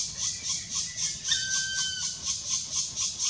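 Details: Black woodpeckers (Dryocopus martius) at the nest while feeding chicks, Karst, Slovenia, May: high, hissing pulses repeat about four times a second, with one brief steady whistled note partway through.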